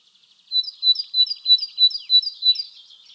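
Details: Great tit (Parus major) song in the wild in spring: a clear, rhythmic two-note whistle repeated seven times at an even pace, ending in a soft trill.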